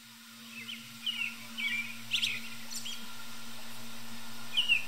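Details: American robin perched high in a tree in early evening, singing: a few short, separate warbled phrases near the upper-middle range, spaced about a second apart, over a steady low mechanical hum.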